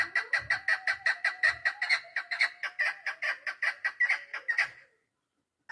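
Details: A female chukar partridge kept for hunting, 3 May 2025, calls in a dense series of throaty chuk notes for almost five seconds, with faint low thumps early on, then stops.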